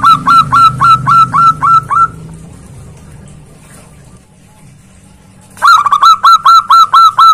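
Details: Zebra dove, a local bird, calling loudly to a rival: a fast series of short, clear, cooing notes about four per second for two seconds, a quiet pause with low hum, then the rapid notes resume.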